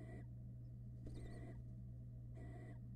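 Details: Barn owl nestlings begging in a nest box in Florida as the male brings a rat to his hungry family; harsh rasping hisses of about half a second, repeated, over a steady low electrical hum.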